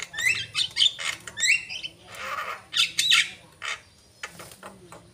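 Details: Asian pied starling in lively song: bright rising whistles and squawks alternate with broad raspy hissing notes and scattered chatters, some faint background noise.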